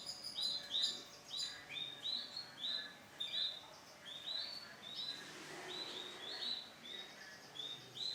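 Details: Male canary of bright lemon colour gives repeated clear whistled notes in short bursts, pausing briefly, then resuming with a run of rising chips over a soft hiss.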